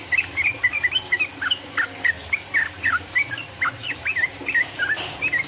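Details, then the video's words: Sooty-headed bulbul delivering a 'ropel uplik uplik' song to provoke rival birds: clear, springy whistled notes, about three to four per second, rising and sliding down, in a loose and uneven rhythm. "mancing lawan jadi emosi, trucuk gacor ropel uplik uplik merangsang lawan"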